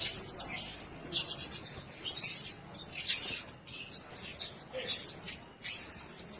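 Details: Blue-crowned hanging parrot at a nest: dense high-pitched squeaky chatter, nearly continuous, with brief gaps.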